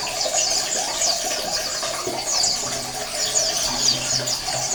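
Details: Many Oriental white-eyes calling together as a colony, a sound used to stimulate reluctant males to sing; shrill, rapid twitters and short high chirps pour out in overlapping bursts, over a low hum in the background.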